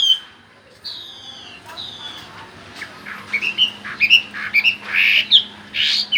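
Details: Chinese hwamei singing in the gacor ngerol style, a long rolling song: high whistled phrases, then quicker, louder bursts of notes in the second half, over a steady low hum and background noise.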